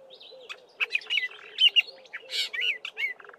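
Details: Black-bellied starling mixing mimicry of Fork-tailed Drongo and other local birds into its song: dense, varied run of squeaky whistles, rattles and slurred notes, with a repeated low background call beneath.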